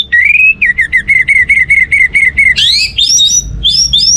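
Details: Orange-headed thrush song meant to stir other birds into singing: a quick series of about a dozen repeated whistled notes, then sharper rising upslurred whistles, fairly clean with faint background hum.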